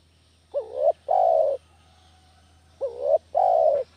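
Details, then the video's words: Spotted dove call played as a lure for trapping doves: two low cooing phrases, each a short wavering upward note followed by a longer, steady, slightly falling coo, about two seconds apart over a quiet background. "SUARA MASTER PIKAT DERKUKU KAMPUNG"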